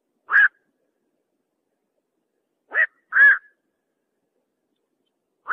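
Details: Unidentified bird calling at night, known locally as bakchuk: three short, harsh, nasal squawks, two close together after a long pause, with a fourth starting at the end, in an otherwise silent background.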